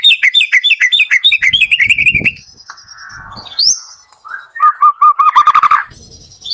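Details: Morning singing of a white-rumped shama intended to trigger slow-singing shamas: a fast series of descending chirped notes, a pause with faint high whistles, then several repeated lower whistled notes ending in a buzzy burst.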